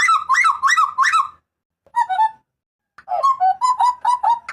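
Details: Strident cries of a Papuan butcherbird serving as master and lure audio for cage birds: five quick, rising-then-falling nasal yelps, a short two-note phrase, then a run of seven rapid ringing calls.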